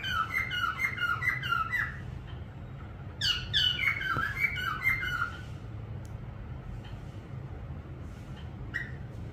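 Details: Parrot giving two bursts of quick, chirpy whistled notes, the first lasting about two seconds and the second a little longer, followed by scattered faint clicks against low background hum.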